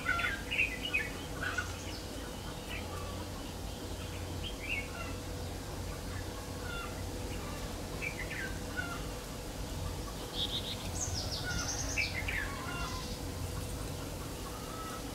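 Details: Red-whiskered bulbul at a trapping site, a 'Má Lỡ' bird almost done moulting, 3 September 2019: scattered chirpy warbled notes and short phrases through the recording, busiest at the start and later on, with constant low hum.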